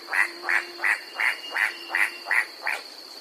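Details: White-striped forest rail of mid-mountain forest on New Guinea's Bird's Head, giving an incessant clacking: nine sharp, dry clacks at a steady pace, about three per second, over a faint constant high hum.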